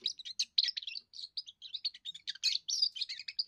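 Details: Young European goldfinch giving its first song, which serves to defend territory and attract females: a rapid, unbroken stream of high tinkling twitters and short buzzy chirps, notes tumbling quickly one after another with no other sounds.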